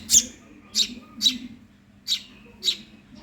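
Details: Five loud, grating chirps from a hungry Eurasian tree sparrow chick, spaced about half a second apart, with a soft low drone throughout.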